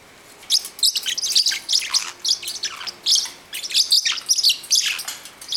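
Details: Pet parrotlet, nine weeks old, very loud as it gets worked up chasing another bird indoors; dense rapid run of shrill high chirps and squeaky notes, almost continuous for several seconds.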